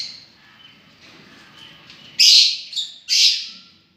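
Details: Soft faint twittering from lovebirds, then two loud screechy calls close together.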